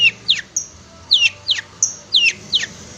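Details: Long-tailed shrike tutor recording: sharp, downward-sweeping whistled notes in pairs, alternating with brief very high pure tones, over a light background hiss.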